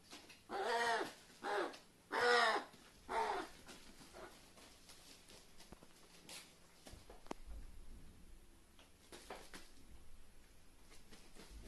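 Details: Captive carrion crow kept indoors, so overexcited it makes strange sounds: four hoarse, strained cries in quick succession, then quieter rustling and small knocks in a room.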